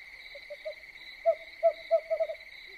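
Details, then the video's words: Nocturnal owl giving a run of short, low hoots that grow louder and quicker toward the end, with a steady shrill cricket drone behind it. "Suara burung hantu yang menyeramkan"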